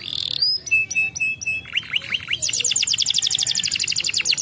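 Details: Canary singing to draw replies from other canaries: a few sharp chipped notes, short slurred whistles, then a steady rapid trill of repeated falling notes, about four per second or faster.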